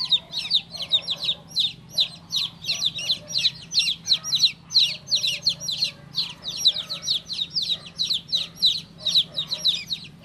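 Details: Baby chick calling insistently, high thin peeps in fast clusters, each note dropping sharply, the stream broken by short breaths over about ten seconds; faint hum behind.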